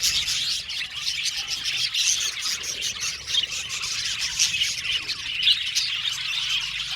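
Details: Many budgerigars kept together in an aviary, chirping steadily; busy overlapping twitters and short squawks form an unbroken high chorus.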